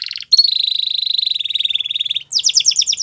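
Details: Canary singing a training song: a long, steady, rapid trill that falls slightly in pitch, then a higher, faster rattle of sharp notes.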